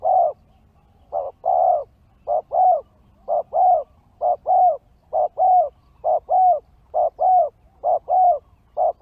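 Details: Spotted dove call used as a lure (pikat) for wild birds: low, mellow coos in short paired and grouped notes, repeated steadily about once a second, with a quiet background.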